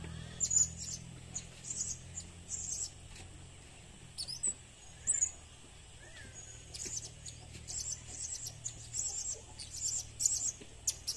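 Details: Blue-crowned hanging parrot lure calls: many thin, very high chirps and twitters in rapid irregular runs, busiest toward the end, with a low hum underneath early on.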